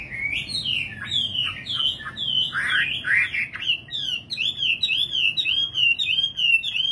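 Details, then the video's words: Nightingale warbling fast and varied, sharp down-slurred notes mixed with rippling whistles that settle into a repeated looping phrase. "Singing nightingale. amazing bird song"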